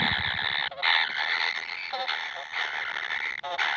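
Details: Nestling kingfishers begging for food: an almost unbroken harsh buzzing rasp, wavering in loudness with brief dips, running through the whole stretch.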